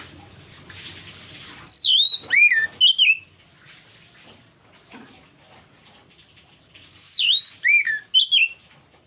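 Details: Oriental magpie-robin lure song used to draw out a full repertoire: two bright whistled phrases five seconds apart, each a falling high note, a swooping lower slur and a short twisting ending.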